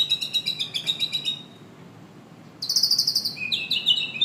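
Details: White-rumped shama singing: a fast run of short buzzy high notes repeated about four times a second, a pause, then bright whistled phrases that slide downward, with a faint low hum behind.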